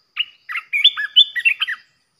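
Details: Red-whiskered bulbul song used as a decoy to provoke other bulbuls: a quick run of chirpy, warbled notes, some rising and some falling, in a phrase of about a dozen notes over one and a half seconds, on a quiet background.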